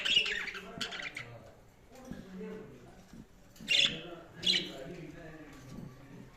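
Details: Budgerigars chattering softly in a low warble, broken by three sharp, high squawking chirps near the start and middle of the stretch.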